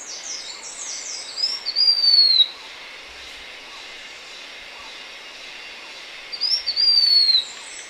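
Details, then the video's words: Two thin, high whistles from a blue-winged minla, each sliding down in pitch, about five seconds apart, with a burst of other bird chirps at the start and quiet hiss between. "Tiếng chim khướu lùn cánh xanh, นกศิวะปีกสีฟ้า"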